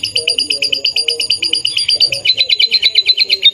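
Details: Canary in full song, fast even trill of repeated chirping notes that shifts to a choppier, slightly different note pattern midway, while low human voices and murmuring sound underneath.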